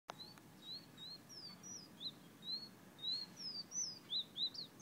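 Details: Fire-red bird from Guyana whistling: a steady run of short, high, slurred whistles, some rising and some falling, given roughly one or two per second, with a few higher sharp notes over a soft background hiss.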